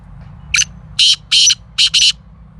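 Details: Speedy black francolin (kala teetar) delivers a loud, close, scratchy call of five harsh notes: a short opening note, two longer grating ones, then a quick final pair run together.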